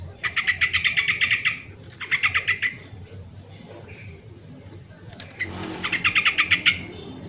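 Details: Yellow-vented bulbul, an original recording used as a lure to make lazy caged bulbuls sing: three bursts of rapid, bubbly chattering notes, each run about a second long, with short pauses between.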